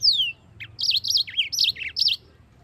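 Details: Yellow-fronted canary singing in full, a master recording meant to teach white-eyes to sing: a long descending whistle, then quick warbled notes bouncing up and down in pitch, several short phrases in a row, low background hum.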